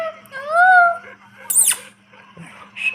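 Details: Pet rose-ringed parakeet talking with a person, giving a drawn-out rising-falling voice-like phrase, then a sharp high squeak and softer murmurs over a steady low hum.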